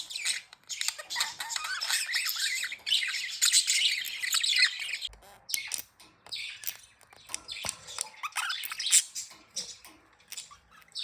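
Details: Budgies, said to be happy and playing, warble in a dense, continuous stream of high buzzy chirps and twitters, then break into scattered sharp clicks and chirps.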